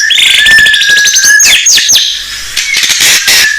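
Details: Blorok white-rumped shama in full song, used as a lure for untrained shamas. Rapid high trills run into sweeping rising and falling whistles and sharp chirps, dense and continuous with no pauses.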